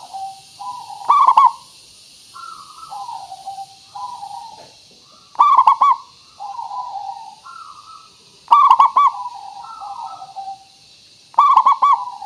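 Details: Local zebra dove with a clear, crystal-toned voice, used as a lure to make other birds answer. A loud rolling, stuttered coo bursts out about every three seconds, each followed by softer, lower gliding coos. A steady hiss runs underneath.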